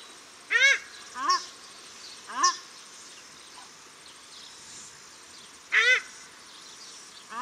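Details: Paradise shelducks calling, male and female, at Cornwall Park, Auckland, New Zealand; a quick series of three harsh, rising honks, a pause, then two more.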